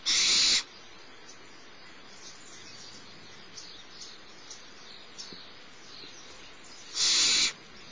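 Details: Barn owl owlet being fed by the adult female at Starr Ranch, 6 March 2011 around 10:30am; a loud hissing screech at the start and another seven seconds later, with faint clicks and chirps between.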